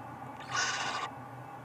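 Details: Nest box owlet in the doorway at midday, 1 April 2020, calling after noticing something: a single harsh, breathy screech lasting about half a second, rising out of low steady background noise.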